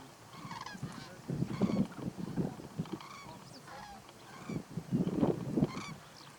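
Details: Flock of Eurasian or common cranes calling at close range in the Little Rann of Kutch, Gujarat, India, January: bugling honks overlap in quick irregular bursts, some rising, over a low rumbling background.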